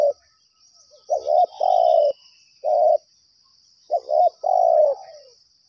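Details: Spotted dove calling in response to a trapping lure, giving two phrases of husky cooing, each a quick hiccuping note followed by a longer drawn-out coo, with a constant thin high hum behind.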